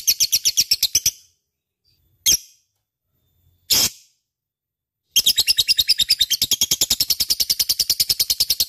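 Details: Lovebird in full chattering song, used as a lure to prompt other birds, with a fast run of sharp high chirps, a pause broken by two harsh squawks, then a long steady chatter at about two notes per second.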